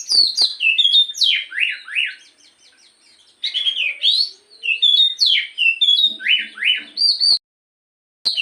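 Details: Morning song of a black-throated magpie-robin used to prompt the bird into singing: rapid loud phrases of clear whistles, down-slurred notes and rasping rising sweeps, broken by a brief gap, with a soft low hum in the background.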